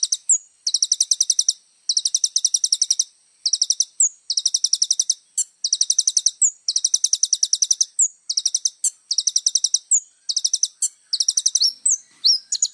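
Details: Little spiderhunter song for tutoring other songbirds: very high, sharp ticking notes delivered in rapid bursts of about eight to ten, each burst followed by a quick rising whistled chip, repeated steadily over about thirteen seconds in a quiet background.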